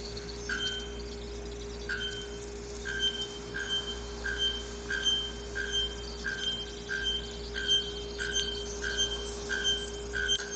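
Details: Male bare-throated bellbird giving its ritual advertising song to attract females, short, ringing, anvil-like metallic notes about once a second that carry far, over a steady low electrical hum.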